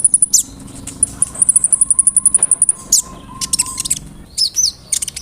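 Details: Kolibri ninja sunbird song for provoking birds to sing. A thin, high, rapid series of even ticking notes, then a few louder chirps and short slurred whistles.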